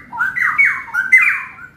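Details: Caged adult Straw-headed Bulbul in full song at a bird kiosk in West Jakarta, pouring out a loud, rich, bubbling warble of liquid slurred notes that rise and fall, with faint room noise behind.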